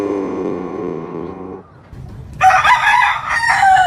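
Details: Farm roosters crowing: a lower, rough, drawn-out crow fades out, then after a quiet pause a brighter, higher crow begins with a slight rise and fall in pitch.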